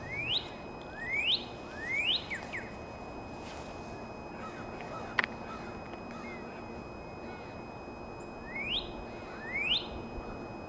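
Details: April song of a Northern cardinal: a group of three loud, upward-sweeping whistled notes, a long pause with a single click, then two more rising slurs near the end.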